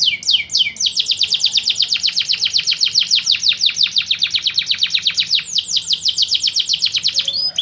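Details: Canary song, offered as a model for training other songbirds: a loud, fast trill of sweeping high notes repeated about six times a second, opening with a few harsher swoops and ending in a brief higher flourish.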